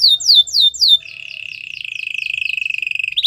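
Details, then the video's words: White canary training song: three bright swooping whistles, then a long, evenly pulsed lower trill that swells in volume, closing with a quick high flourish. "White canary singing"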